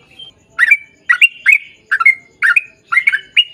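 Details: Sooty-headed bulbul, vigorous long-trill 'ropel panjang' song: paired, chattering slurred notes repeat about every half second against a quiet background.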